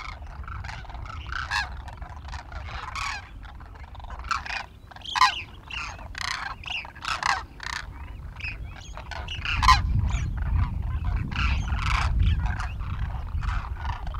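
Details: Demoiselle cranes gathered for winter at Khichan village in Rajasthan, India, feeding in a field: dense, rapid bursts of croaking, rattling calls from many birds, with a low rumble building in the second half.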